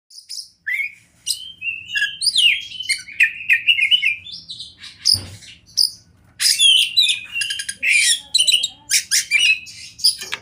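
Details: Oriental magpie-robin, a fighter-type kept bird, in a rich varied song of whistles, harsh buzzy bursts and rapid trills, phrases shifting constantly with brief pauses; a faint low hum underneath.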